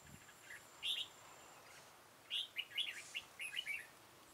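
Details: Red-whiskered bulbul during trapping with a decoy bird, 13 October 2018: a brief whistled note, then a quick, bubbling phrase of chirpy rising and falling notes.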